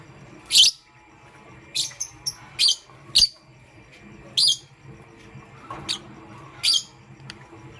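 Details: Lovebirds of pastel gray and green color in the morning, giving single sharp, shrill chirps spaced about a second apart, each brief and scratchy, over a low steady hum.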